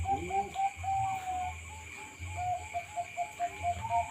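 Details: Caged Bangkok-type zebra doves at a breeding farm in Bondowoso: rapid staccato cooing notes strung in rolling sequences, with a brief rising note near the start, against constant electrical hum and low-frequency noise.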